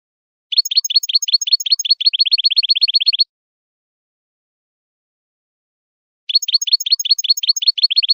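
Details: European goldfinch song for teaching young birds to sing: two bursts of rapid, high chirping trill, each about three seconds long and separated by a long silent pause, with no other sounds.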